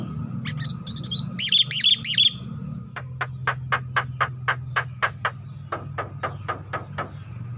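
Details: Javan myna, known locally as jalak kebo, singing its characteristic song while bobbing its head: a few harsh chattering bursts, then a long series of sharp clicking notes repeated about three per second, over a low hum.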